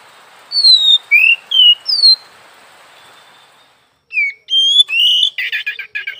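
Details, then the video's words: Oriental magpie-robin (kacer) in full song: a run of four bright whistled notes, a faint trailing tone and pause, then more whistles rising into a fast harsh, scratchy burst at the end. "Suara burung Kacer pagi siang malam"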